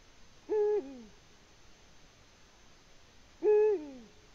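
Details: Eurasian eagle-owl at its nest, Latvia, 14 February 2020. Two matching calls about three seconds apart. Each is a flat, harsh, nasal note that ends in a downward slur. There is quiet between them and no other animals.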